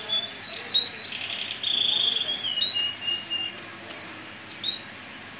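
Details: Male Gibber (hunched) canary singing: bright whistled phrases and fast rolling trills around the high register, a sustained buzzy trill in the middle, then a quieter pause and a short closing whistle.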